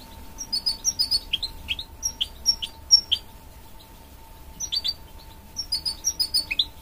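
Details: Goldfinch-canary hybrid (mule) giving soft, scattered high twittering phrases of short chirps and downslurred notes in bursts separated by a pause, with a quiet steady hum behind.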